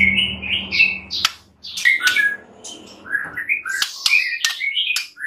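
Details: White-rumped shama in a master recording full of fill-in phrases, used to train other birds: quick varied whistles that slide up and down, broken by sharp clicks and short chattering notes.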